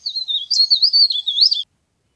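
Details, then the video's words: Leaf warbler as a trapping lure: a quick, high, sinuous warble with rapidly rising and falling notes for about one and a half seconds, then silence. "CIKRAK DAUN GACOR | CIKRAK DAUN PIKAT | SUARA PARE PARE GACOR"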